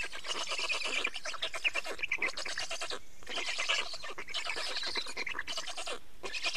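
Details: At an Estonian black stork nest on 24 May 2019, 15:15, during nest change and feeding, rasping rapid-pulse calls run almost continuously, broken by a short pause near the middle.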